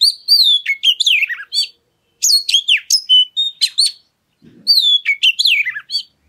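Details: Oriental magpie-robin song aimed at provoking other birds to sing: three lively bursts of loud varied whistles, sharp rising and falling slurs, with a faint low rustle between phrases.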